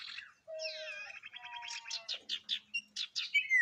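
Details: Varied song of a kept sirtu, meant to trigger other sirtu birds from soft twittering into loud whistling: a low drawn note, a rising trill of stacked tones, then a rhythmic run of sharp chirps ending in a high whistle.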